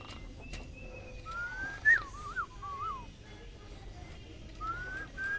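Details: Pink-necked green pigeon giving clear, pure whistles: a long rising note, then a quick series of wavering, looping notes that slide downward. Two more rising whistles follow after a pause. The background is quiet.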